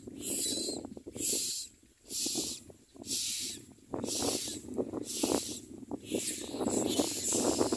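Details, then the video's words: Common myna chick being fed by a parent: rhythmic hissy rasps about once per second, repeated seven or eight times, partly blurred by clattering and rumbling background noise. "Common myna Birds feed the baby forever"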